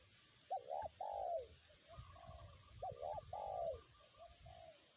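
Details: Spotted dove cooing in strong wind as a lure bird: two phrases, each a double-humped coo and a long falling coo followed by softer trailing coos, with a thin high whistle and wind noise.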